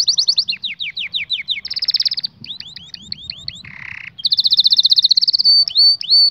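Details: Powerful canary song meant for teaching young canaries: descending whistled notes in series, a tight buzzy roll, repeated slurred chirps, a raspy burst, then fast high trills and clipped calls.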